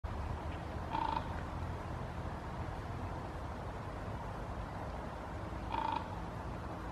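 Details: Common raven, probably perched unseen in trees in Helsinki, Finland, September 2021, gives two short, hoarse calls about five seconds apart over a steady low rumble of wind or distant traffic.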